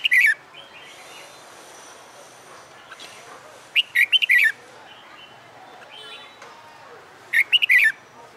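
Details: Caged red-whiskered bulbul, a wild-caught bird about a month in a hand cage, being trained for fighting song: three short bright whistled phrases of rapid rising and falling notes, roughly every three to four seconds, over quiet background hiss.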